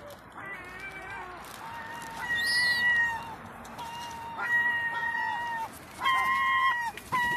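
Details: Begging herring gull youngster, two to four months old, asking for food: a run of drawn-out whistled wails, some long and some clipped, each starting with a sharp upward catch, repeated with short breaks over faint background rumble.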